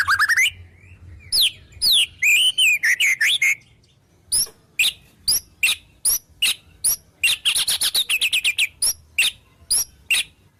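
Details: Wild-bird phrases mimicked by a white-rumped shama: a varied run of sharp chips and buzzy downslurred notes, a pause, then evenly spaced single clicks that quicken into a dense chattering burst before slowing again.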